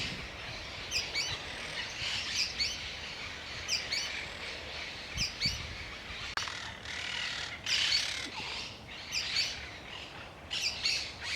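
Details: Sooty-fronted Spinetail, a small furnariid of jungles, forests, savannas and groves in central South America, singing short, high, scratchy two-part phrases repeated about once a second over a soft hiss.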